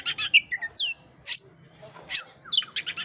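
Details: Oriental magpie-robin song played to stir a listless bird into singing: varied whistled notes and sweeping slurs mixed with quick buzzy chirps, in short bursts with brief pauses, faint low hum beneath.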